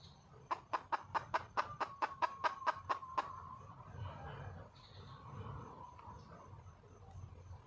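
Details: Wild red junglefowl hen calling for a male: a quick run of about twelve sharp, evenly spaced clucks, then quiet with soft background rustle.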